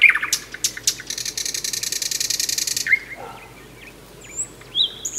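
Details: Thrush nightingale, introduced as the main night singer of May in central Russia, sings: sharp whistled notes, then a loud, rapid dry rattle of about two seconds, followed by short clear whistles and chirps.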